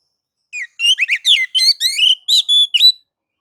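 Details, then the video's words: Loud, rapid phrase of white-rumped shama song for provoking other shamas to sing, a quick string of rich chirps and buzzy notes ending in a couple of clear whistles. "KACER akan ikut gacor dan emosi sebab kicau kacer mode nagan dan ngobra ini"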